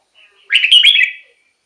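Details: Red-whiskered bulbul song used to stir up caged birds or draw in wild birds: a single loud, quick, liquid warbled phrase of slurred whistles lasting under a second after a faint lead-in note.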